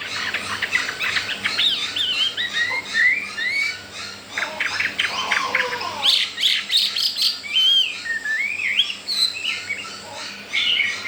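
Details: Recently arrived wild Chinese hwamei, kept caged for four days, showing breeding readiness and no fear of the household birds. It gives a rich, rapid jumble of sharp chips, trills and sweeping whistles, pausing briefly midway.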